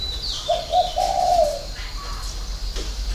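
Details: Single spotted dove phrase in the six-note 'hậu 3' coo style: soft, low, hollow notes run together into one lengthening hoot. Faint high chirps sound behind it.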